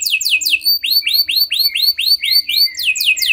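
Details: Canary song played to stimulate other canaries: quick descending notes, then a steady run of curved, arching whistled notes repeated about five times a second.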